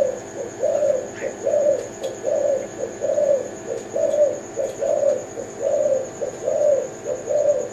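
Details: Tekukur Kelantan, or zebra dove, sings soft rolling low coos roughly once a second, each preceded by a short note. Only a faint steady high tone and a single distant chirp accompany it.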